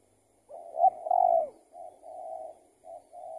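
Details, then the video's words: Spotted dove, an escaped tethered trapping bird, responding to a decoy while being trapped. One louder rolling coo, then softer, even coo notes follow in a short sequence. "Pikat Tekukur siapa ini yang LEPAS"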